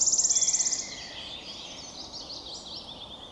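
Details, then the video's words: Wood warbler singing on 22 May 2023, a bird that often sings in flight and rarely completes a whole song on one branch: a loud, rapid, dry trill of about sixteen high notes lasting under a second, followed by fainter twittering from other birds. "Sirittäjä laulaa kauniisti"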